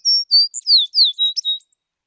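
An American Tree Sparrow sings a sweet, high song of about eight quick notes, several of them slurred downward, lasting under two seconds.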